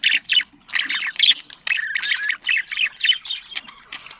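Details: Budgerigar mating chatter meant to stimulate breeding: quick chirping phrases and squeaky trills in a lively stream, with a few brief pauses.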